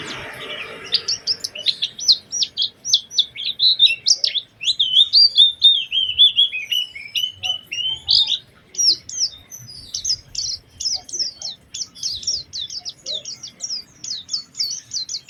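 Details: Oriental white-eye lure song, meant to prompt other white-eyes to sing, with special phrasing: rapid high twittering notes, sliding and warbled in the middle, then a quick run of sharp repeated chips about four per second.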